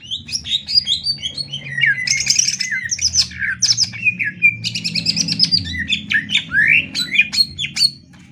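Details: Greater green leafbird singing a master song for training other birds: dense, jumbled medley of bright whistles, rising slurs, and high chattering trills, delivered continuously and energetically with only a soft low hum behind.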